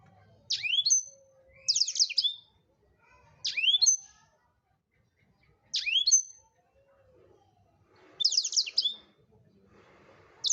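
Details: Black-throated canary singing actively for songbird training: short high twittering phrases with a sweeping whistle, repeated roughly every two seconds, six bursts in ten seconds, with faint background rustle.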